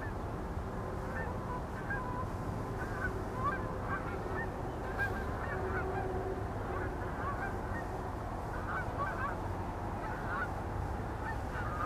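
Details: Canada geese flying over the Allegheny River at Olean, New York, at sunrise; a flock gives many overlapping nasal honks throughout, steady low rumble of wind or water beneath.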